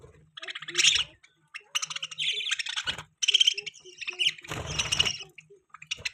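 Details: Budgerigar chattering in fast, scratchy bursts of high chirps and squeaks, each run lasting about a second with short gaps between, over light low-pitched background rumble.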